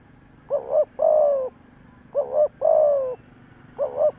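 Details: Spotted dove decoy cooing to excite wild birds: repeated phrases of a quick rising-falling double note and a long level coo, about three phrases in quick succession.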